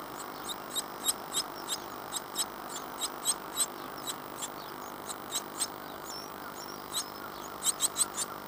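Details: Fourteen-day-old great tit nestlings calling in a nest box at Falmouth, UK, hatched 25 April 2011. Sharp high-pitched cheeps repeat about three times a second in loose, irregular runs, sometimes doubled, with faint background hiss.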